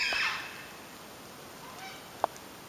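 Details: A Yellow-tailed Black Cockatoo family near Wild Dog Creek, Cathedral Rocks, with two parents giving warning calls at a person and a chick begging for food, gives a single harsh, rasping screech, then quiet background and one sharp click.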